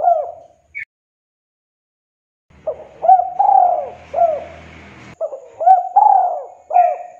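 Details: Tekukur or derkuku, the spotted dove, giving the kuk 2 call used as a lure to call a rival; soft coo phrases repeated after a silent gap, with a hissy background and low hum under the middle phrase.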